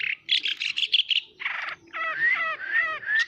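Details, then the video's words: Long-tailed shrike in energetic song: a rapid stutter of harsh, buzzy notes, then a scratchy burst and a series of rising, slurred whistled phrases repeated about every half second. "burung peentet gacor pisan"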